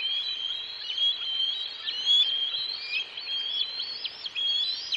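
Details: Juvenile bald eagles squeeing as they chase a parent with food in his talons around the cliffs. Dense, loud, high-pitched whistled squeals rise and fall without pause, with some overlapping voices.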